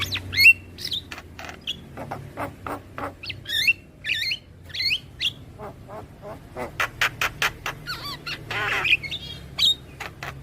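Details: Javan myna song played for training young birds: varied sequence of sharp whistles, harsh squawks, rising and falling slurred notes and clicks, delivered in rapid bursts with short gaps, plus a raspy chattering stretch near the end.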